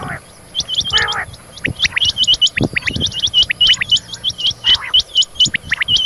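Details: Female rain quail calling in the morning, giving rapid, high, sharply hooked notes, several per second, overlapping as if from more than one bird; a brief harsh nasal burst sounds near the start.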